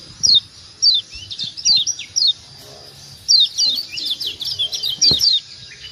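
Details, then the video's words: Lombok white-eye, kecial kuning, calling 'ciak ciak' to stimulate other birds to sound off. Isolated sharp falling chirps give way to a quick chattering run of high notes, with a faint click. "Ciak ciak Jos Kecial Kuning Ampuh Merangsang Bunyi Jadi Rajin Bunyi"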